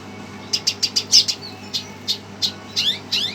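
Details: Red siskin, worked up on hearing a played recording, giving a run of sharp high chirps, about a dozen notes in three seconds, some with quick twisting slurs toward the end, over a steady low hum.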